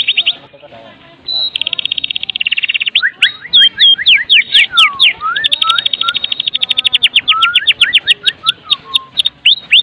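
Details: Lure song of a Medan-type white-rumped shama for getting other shamas singing: a buzzy trill, tumbling falling whistled slurs, then a long rapid rattle broken by low slurred whistles.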